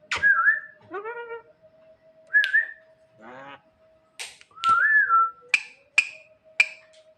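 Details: At night, a Javan myna calls for its mate with wavering whistles, a nasal, rising multi-harmonic note, a harsh rasp, and bright sharp clicks repeated in the latter half.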